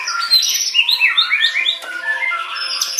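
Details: White-rumped shama giving a short burst of song. A run of clear, mellow whistled notes slides up and down quickly, then thinner high whistles and a sharp click follow.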